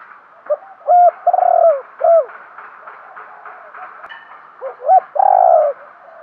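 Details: Spotted dove kept as a decoy, calling to lure wild birds: two loud phrases of short rising hoots followed by a long, steady coo, with quieter cooing murmurs in the gap.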